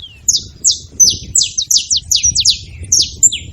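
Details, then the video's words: A group of saffron finches making noise together: around a dozen bright, high chirps, each a quick downward slur, some overlapping, over a soft low background hum. "Canário da terra junto fazendo barulho"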